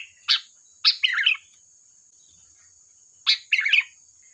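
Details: Vigorous sooty-headed bulbul song meant as a lure: a lone sharp chirp, then two phrases of a crisp note leading into a rich bubbling warble, spaced about two and a half seconds apart, over a thin constant whine.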